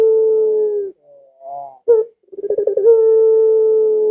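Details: Barbary dove calling to set off pet doves at home: the tail of a long coo, a faint rising murmur, a short accented note, a rolling trill, then another sustained level coo.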